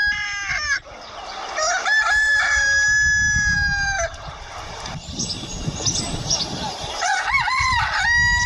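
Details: Desi roosters on a free-range village poultry farm, 31 May 2024, crow in overlapping turns, each a loud, drawn-out, harmonically rich call that rises, holds and falls, one answering another over a low rumbling background.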